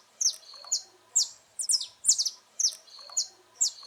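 A saffron finch sings a series of sharp, high chips and short bright phrases, about one per second, some ending in a level, sustained whistle.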